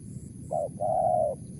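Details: Single phrase from a wild spotted dove in the 'mersik' style: a short coo followed by a longer, even, mellow coo, over a low rumbling background.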